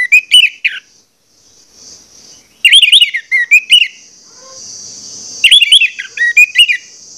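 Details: Orange-headed thrush giving a vigorous lure song to excite other birds to sing: rich, warbled whistled phrases with fast twists and trills, separated by short silences.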